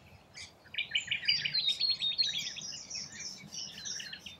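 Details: Rainbow lorikeets feeding in Australia give a dense run of shrill, chattering screeches that overlap for about three seconds, with high squeaky notes running over rapid harsh pulses and a low background rumble.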